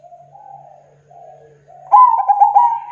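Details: Zebra dove song used for luring local wild doves: soft low cooing notes, then a louder, richer phrase of rapid rolling coos near the end.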